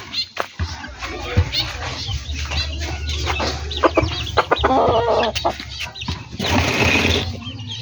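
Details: Backyard chickens clucking and calling in a busy poultry yard: overlapping short, harsh clucks and squawks, some in quick bursts, with a longer grating call near the end over steady low background rumble.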